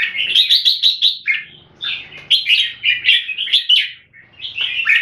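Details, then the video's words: Caged red-whiskered bulbul kept in Singapore, a jambul singing solid clear 'keke' notes: bright, rapid whistled phrases of warbling chirps in quick bursts, pausing briefly between runs, with no other sounds. "นกหัวจุก JAMBUL - SOLID CLEAR KEKE & SINGING"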